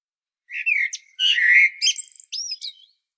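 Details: Common blackbird singing on Medvednica Mountain at Sljeme near Zagreb, Croatia, filmed with a Panasonic Lumix DC-TZ90: low mellow fluted warbles that give way to a squeaky, high twittering flourish in one phrase.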